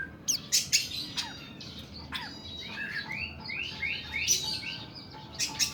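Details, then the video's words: Kacer kuku bima oriental magpie-robin singing: sharp harsh clicks and bursts first, then a run of rising slurred whistles, and more rasping notes at the end, in the long, rough 'nembak' style. "KACER KUKU BIMA NEMBAK PANJANG & KASAR"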